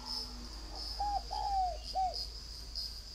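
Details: Northern Vietnamese spotted dove kept at a bird farm in Ba Vì, Hanoi, cooing a three-part phrase: a short hollow note, a longer sliding coo, then a clipped closing note, with a shrill pulsing cricket-like drone throughout.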